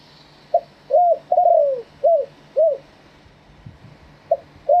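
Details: Live spotted dove singing in wild-style phrasing (kharm pa thae), Thailand: a run of separate arched coos, one longer note trailing downward, spaced irregularly about half a second to a second apart; light hiss throughout.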